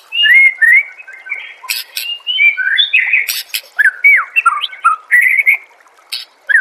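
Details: Loud, varied white-rumped shama song used as training material for songbirds: rapid whistled slurs, sweeping downward notes and harsh rasping bursts mixed through the phrases.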